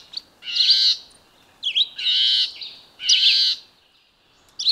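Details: Red-eyed vireo song with three strong, buzzy phrases delivered about a second apart, each preceded by quick slurred notes, with clear silences between phrases.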